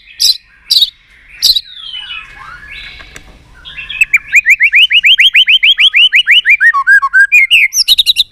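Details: White-rumped shama pumped up to sing: a few sharp chip notes, a quiet scratchy passage, then a long, evenly repeated series of rising whistled notes that drops in pitch near the end.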